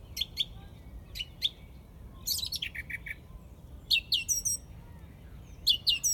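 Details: A song thrush in Izmailovo, Moscow, sings loud, clear, high phrases, each short figure repeated two or three times before switching, over a soft background hush.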